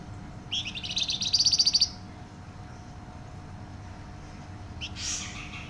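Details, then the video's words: Flamboyan bird singing a rapid high trill of closely packed notes that grows louder for over a second, then silence and a later soft rushing chirp, faint hum beneath. "Burung Flamboyan gacor suara nyaring dan rapat"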